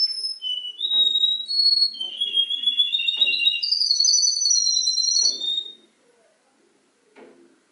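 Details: Singing canary imitating other birds' songs, delivering long, smooth whistled phrases that climb and then hold high, ending abruptly in near silence with a soft clicking noise.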